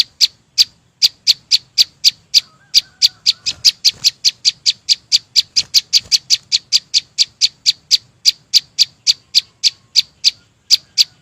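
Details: A prolonged run of bright, clipped tick notes from a chim sâu xanh at a quick, steady pace. A faint lower whistle from another bird sounds early on.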